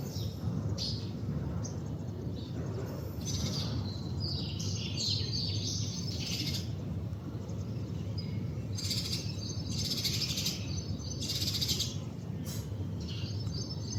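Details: Male house sparrow perched outdoors while collecting bark and twigs for nesting, giving scattered short high chirps in loose bursts, some closely spaced, over a constant low rumbling background noise.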